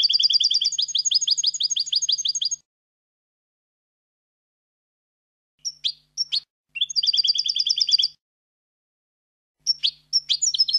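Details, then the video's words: European goldfinch song used as a recording for teaching young goldfinches to sing: high, rapid twittering trills of tinkling notes in bursts of one to two seconds, with short chips between phrases and silent pauses. "موسوعة الحسون العالمية (9) chants des chardonnerets du monde (9) goldfinch songs"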